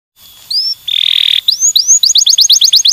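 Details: Canary giving stimulating song: thin rising whistles, then a steady bright buzzy note, followed by a fast series of rising chirps quickening toward the end.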